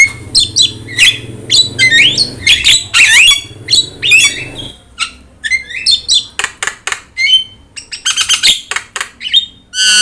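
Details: Actively singing yellow-eyed Javan myna, a recording meant to train other birds, giving a busy medley of grating squawks, thin swooping whistles and sharp chips, with faint low background noise early on.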